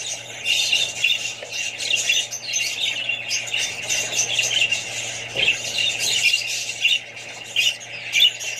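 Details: Several budgies, adults and young, calling together: ongoing high warbled chatter with punchier squawks rising above the mass at intervals, low steady hum in the background.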